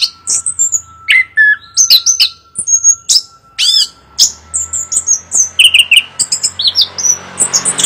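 A chestnut-capped thrush sings a rapid, varied run of clear high whistles, slurred notes and short buzzy trills with barely a pause, over a faint steady hum.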